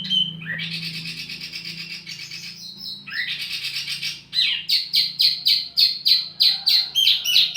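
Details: Wambi mini song used as a lure and master tutor for tledekan birds: a long buzzy trill, then a run of sharp high chirps repeated about three times a second.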